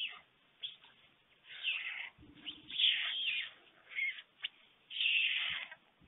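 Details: At a webcam nest in Fohrde, Germany, the adult male white stork feeds two storklets at 1:45 p.m. on 21 July 2019: breathy, noisy hisses in uneven bursts, roughly one every two seconds, with brief low thumps between.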